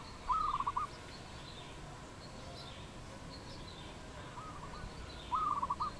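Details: Wild dove in Cambodia, 22 April 2020, gives two matching short trilled phrases about five seconds apart, each a quick run of pulsed notes. Faint high bird calls sound in between.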